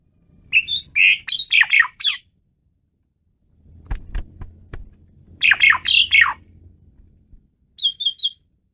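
Asian pied starling pouring out loud bursts of harsh squawks and chattering whistles, with a quiet rumbling pause between them.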